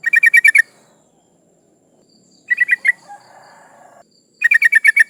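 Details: Breeding female yellow-vented bulbul calling males, used to lure rivals; fast rattling bursts of six or so bright chattering notes, separated by pauses of a few seconds, with a faint hum between bursts.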